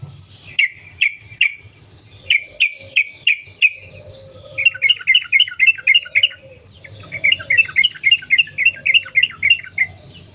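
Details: Lure recording of a wild Yellow-vented Bulbul in linked 'ropel' song: groups of three and four clear chirps, then two long fast bubbling runs of rapid notes, with a faint low hum.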